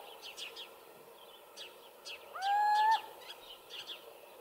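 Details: A single rising, nasal mewing hoot from a little owl, recorded in 2015 in Hortobágy National Park, Hungary, lasting about half a second, with soft high chirps of other small birds before and after it.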